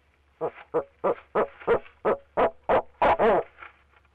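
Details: Male barred owl calling from a nest box at Leesville, filmed on a live nest camera; he kept calling from the box for 45 minutes. About nine short, evenly spaced hoots roughly three per second, the last notes longer and wavering.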